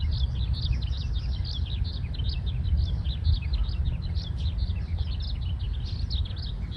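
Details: Breeding-season male Eurasian skylark, which sings while hovering, recorded in a local park on 20 May 2026; a restless, continuous stream of rapid high chirps and trills runs throughout, with heavy low-pitched wind noise underneath.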